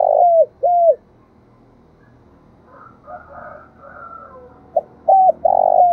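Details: Decoy spotted dove coos at the start and end, giving low hollow notes that fall at their tails. A faint, higher wavering call from another bird fills the quiet middle.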